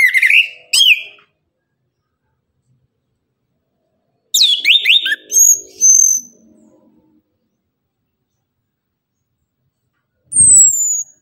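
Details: Orange-headed thrush in the morning, singing in the rapid 'tembakan' style: short bursts of bright whistled notes with sharp downward slurs, separated by pauses of about three seconds, ending with one thin, very high, descending whistle.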